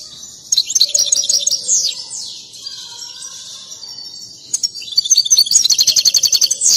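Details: European goldfinch, stirred up and dancing, in a mating song. Twittering and sweeping notes give way to soft low whistles, then a fast pulsing trill of bright metallic notes.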